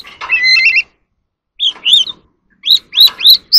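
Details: Oriental magpie-robin in a competitive singing match, an ornamental bird singing while dancing: a warbled phrase, a pause, then a series of upward-sweeping whistles repeated several times, growing louder at the end.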